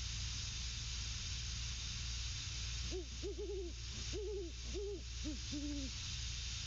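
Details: Male and female great horned owls hooting and grunting at one another on the nest; a run of deep, rounded hoots from about three seconds on, bunched in quick doubles and triples, with constant background hum.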